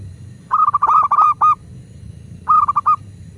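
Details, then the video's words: Local zebra dove cooing, used as a master recording to prompt kept doves to call: two bursts of short, rapid, clipped mid-pitched notes, about five then four, with a low hum underneath. "Perkutut lokal gacor pancingan agar burung perkutut cepat GACOR dan BUNYI"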